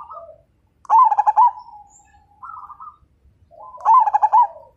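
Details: Zebra dove of the Majapahit type, singing actively in a style meant to make other birds join in: soft wavering coos, then two loud bursts of rapid pulsed cooing notes, each burst about six to eight beats, three seconds apart.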